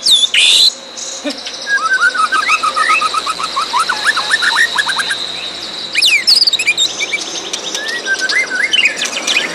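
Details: White-rumped shama with distinctive fighting style, a series of short slurred whistles and quick notes over a steady background hiss, with loud high bursts at the start and midway.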